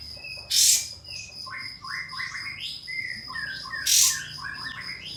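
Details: Pied fantail calling out a rival, meant to make a young fantail open its tail and answer; quick cascades of clear whistled notes dropping in steps between two loud harsh bursts, insects droning steadily behind.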